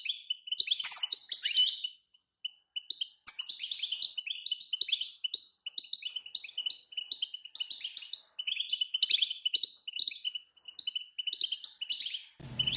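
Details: Female European goldfinch call meant to make a silent male sing hard: a shrill opening flourish, then steady series of high, clipped chirps repeated over and over, ending with a sudden low thump.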